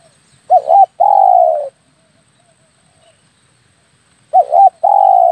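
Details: Spotted dove lure call used to draw doves in while hunting with an air rifle: a short wavering double coo followed by a long, steady, slightly falling coo, the phrase given twice about four seconds apart on a quiet background.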